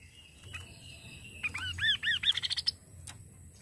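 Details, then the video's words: Kaso kaso bird, recording meant to stimulate the bird to sing: a thin held tone gives way to looping arched whistles that quicken into a run of short rising chips. "Suara burung Kaso kaso"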